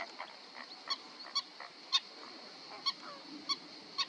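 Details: Black-winged stilt (Himantopus himantopus) calls: sharp, nasal, yapping 'kek' notes, about seven in four seconds at an uneven pace, over a steady background hiss.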